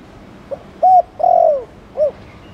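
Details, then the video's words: Spotted dove in the Thổ Đồng cooing style, used to stir newly caught doves into cooing. One phrase of four low hollow notes: a faint short note, a clipped coo, a long drawn coo falling at its end, then a short rounded final coo. "Cu gáy Thổ Đồng kích bổi nhanh nổi/Chim cu gáy Chiêu + Gù kích bổi ức chế mau gáy"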